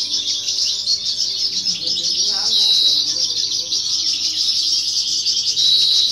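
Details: Competition song of a novice European goldfinch, 2018 or 2019: unbroken, fast twittering with short buzzy trills and a clear high whistle near the end, over soft background voices.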